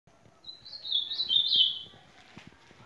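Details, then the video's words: Ultramarine grosbeak singing: a short clear warbled phrase of high whistled notes, stepping up and down, lasting over a second, over faint background ticking noise. "Azulão cantando"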